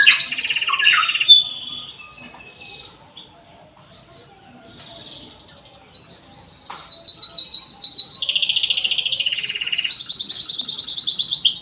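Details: Canary singing to prompt young canaries that have stopped singing: a trilled opening, a near-quiet stretch with faint notes, then long, rapid, high buzzy trills in several runs.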